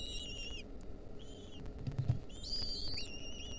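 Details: Lesser kestrel young in a wild nest, 2023, being fed a mouse by their mother; sustained whistled calls with stacked overtones, a brief pause, then louder overlapping whistles over low rumbling.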